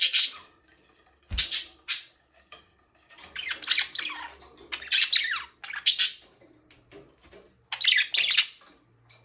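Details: Indoor budgie giving loud, rasping squawks and warbled chirps in clustered bursts separated by short pauses, some notes sliding downward.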